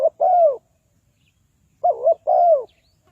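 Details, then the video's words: Decoy spotted dove calling to attract wild doves for trapping. Two clear phrases, each a soft wavering coo followed by a drawn-out falling note, separated by about a second of silence. "Tekukur Pikat,นกเขาใหญ่สายต่อดิน, Sound Of dove"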